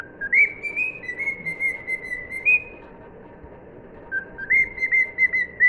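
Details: Pet cockatiel whistling the tune "If You're Happy and You Know It": clear tonal phrases held steady, with short upward-stepping notes, one phrase then a pause and a second phrase starting after about four seconds, indoors.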